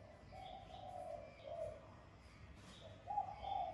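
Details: Spotted dove in the 'son' voice style, cooing to call and urge rivals, used to stimulate kept doves to coo: soft, low, hollow coos in drawn-out notes, the last pair louder, over a rumbling background hiss.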